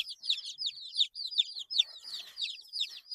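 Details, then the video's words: Young chicks, eight days old, give loud, rapid, high descending peeps, about two or three per second, crowding together in a steady chorus. "Chicks Chirping Sounds - Baby Chicken Sounds"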